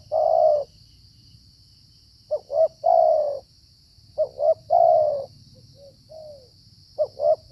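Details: Wild spotted dove, likely its area's dominant male, cooing in the cold rainy season during decoy trapping: repeated phrases of two short soft notes and a long rich coo, about every two seconds, over a steady high whine.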